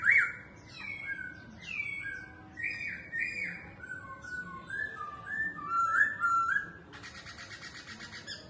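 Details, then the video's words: Caged laughingthrush singing while it dances: strong whistled phrases that rise and fall, varied and melodious. A harsh, buzzy stretch of rapid pulses closes the passage. "Khướu Hót Hay Múa Xèo Đuôi Đẹp"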